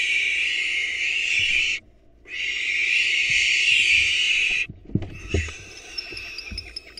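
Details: Barn owls at a nest invaded by a female intruder: two long rasping, hiss-like screeches separated by a brief gap, then quieter scuffling thumps and a few faint high squeaks.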